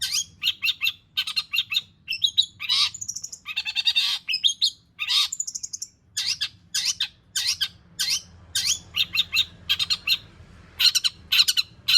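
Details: Long-tailed shrike in full, varied song for drawing out other shrikes: rapid rasping chatter, rattling trills and thin high whistles mixed in a continuous stream of quick, energetic phrases.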